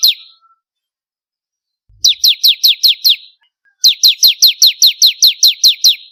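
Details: Bar-winged prinia in vigorous song for contest-bird training: two bursts of rapid, repeated downward-sliding chips, the first of six notes, the second a longer run of about twelve, separated by a short silence.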